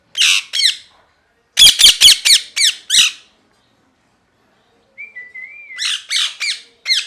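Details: Parrot screams in bursts: two harsh squawks, then six rapid screeches. After a pause comes a wavering whistled note, then another run of five grating squawks, all indoors with no other sounds.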